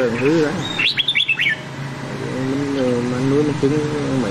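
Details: Nam Đông-style red-whiskered bulbul song for voice training of white-cheeked bulbuls: one quick burst of sharp falling whistled notes, with a steady low wavering harmonic tone running through much of the recording.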